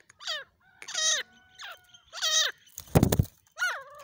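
A partridge gives harsh, nasal, slightly descending call notes, repeated about every second.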